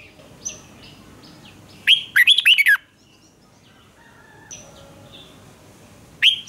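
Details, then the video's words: Red-whiskered bulbul in a competitive singing duel, used to train young birds' voices: a bold phrase of fast, sliding chirps. Faint thin whistles and soft notes from other birds are heard before and after it. "Chào mào hót/Kích chào mào hót đấu"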